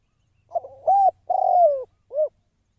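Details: Spotted dove, a decoy bird for trapping, gives a soft introductory note, a rising coo, a long slowly falling coo and a short final coo, with a faint low hum beneath.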